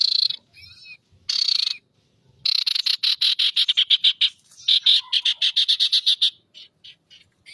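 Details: Loud ashy tailorbird song. Buzzy bursts are followed by long runs of rapid, sharp, evenly spaced notes, about five per second, that fade out into scattered high chirps.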